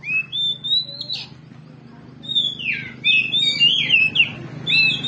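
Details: Oriental magpie-robin in full lively song, used as a lure to stir another magpie-robin into fighting mood so it replies. Loud whistled phrases, some sliding up and down, broken by a quiet gap near two seconds, with a low steady hum underneath.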